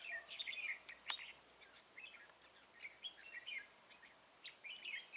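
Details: Red-whiskered bulbul recorded on 2 November 2018 while used as a decoy to trap wild birds. Its song comes as short, bright warbled phrases with quick rising and falling notes, clustered in bursts with brief pauses and a sharp click near the start.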